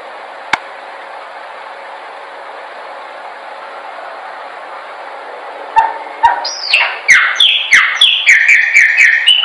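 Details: Chopi blackbird song used for training. About six seconds of steady hiss come first. Then loud, clear whistles break in, followed by a rapid run of sharp, descending, liquid notes, roughly three to four per second.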